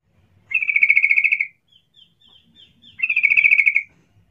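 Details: Sooty-headed bulbul giving its chatty luring call: two rattling bursts of rapid pulsed notes, each about a second long, with a few soft thin high notes in the pause between them.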